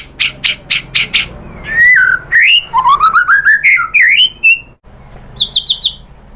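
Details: White-rumped shama lure song, used to make other shamas answer. Several harsh chack notes open it, followed by a stream of warbled, upward-sweeping whistles, a short pause, and a fast high twittering trill.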